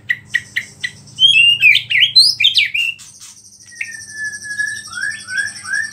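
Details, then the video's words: Song of a white-rumped shama packed with imitated small-bird calls, used to rile other shamas: a few spaced chips, then a burst of quick looping whistles, then slurred descending whistles, over a constant high buzzing drone and low hum. "MURAI BATU GACOR ISIAN BURUNG KECIL"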